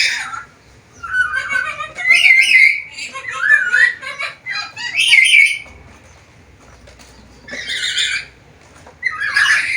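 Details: Varied output from a talking black-capped lory: a rapid chatter of warbled, twisting notes, some nearly speech-like, then a pause and two harsh squawks near the end.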